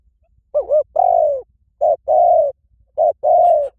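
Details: Spotted dove cooing three times in quick succession. The first note wavers, and each short note leads into a longer smooth coo that tails off slightly lower.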